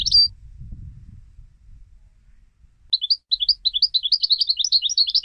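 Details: European goldfinch being trained for song competitions; after a brief chirp and low rumbling noise, a steady series of quick, bouncing twittered notes repeated several times per second.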